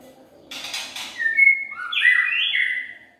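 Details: Murai batu pikat, a white-rumped shama lure song from 2021: a short harsh burst, then clear sustained whistles stepping up and down, ending in a smooth falling note.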